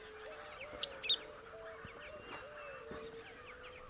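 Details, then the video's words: Great pampa-finch from the lowland forested savanna of Beni, Bolivia, Blue-throated Macaw Reserve, delivering one high phrase of thin whistles and a squeaky flourish, then a lone faint note; insect buzz and a low wavering tone continue throughout. "Great Pampa-Finch (Embernagra platensis) Song"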